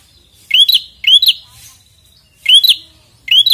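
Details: Insistent prinia song directed at a rival: sharp whistled chirps sweeping upward with buzzy tails, given in pairs and singles, five notes in under four seconds, quiet surroundings.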